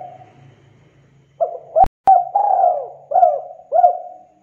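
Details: Spotted dove coo phrase from a lure recording meant to make doves call: after a quiet start with a low hum, two sharp clicks break in, then a drawn-out falling coo and two short rounded coos.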